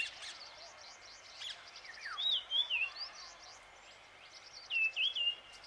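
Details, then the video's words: Marshall's iora singing in Shekhawati, Rajasthan, India, in April: short clear whistled phrases with slurred up-and-down notes, two bursts about two and a half seconds apart, over steady background hiss and faint distant chirps. "Most rare bird's song on YouTube Marshall's iora"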